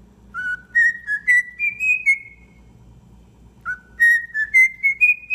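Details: Pet cockatiel, tame and singing, repeats a whistled phrase: clear notes rising step by step from low to high, sung twice with a pause in between over a faint low background hum.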